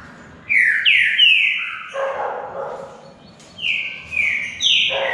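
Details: Green-winged saltator, also called bico-de-ferro or pixarro, in a singing contest between two birds: loud, clear whistled notes that slide downward, delivered in short bursts with pauses, plus a lower, softer mid-pitched tone in the middle.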